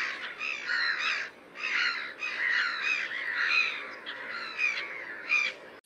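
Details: Black-headed gull giving harsh, grating, crow-like squawks in overlapping bursts, several calls a second at times, with a steady background hiss.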